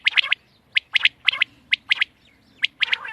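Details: Quail calling in short, sharp chirped notes grouped in twos and threes, bursts repeated about every half second with brief pauses, over a quiet low background.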